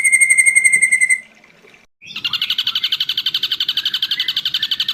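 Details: Ashy drongo in a long tutoring recording: a pure sustained whistle, a short silence, then a rapid buzzy trill of repeated pulsed notes at a steady pitch.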